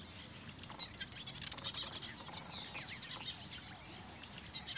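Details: Southern masked weavers in Benoni, Gauteng, South Africa, chatter in a dense, buzzy, sizzling stream of overlapping calls, with dry swizzling notes and some wingbeats over a low rumble of wind.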